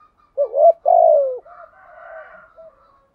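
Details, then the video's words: A spotted dove decoy cooing to provoke wild birds gives one clear phrase, a rising double note then a long falling coo, followed by soft trailing murmurs and a higher faint buzz. "chim cu mồi thúc gù bài bản nhất hiện nay, chim cu gáy kích bổi hiệu quả nhất hiện nay"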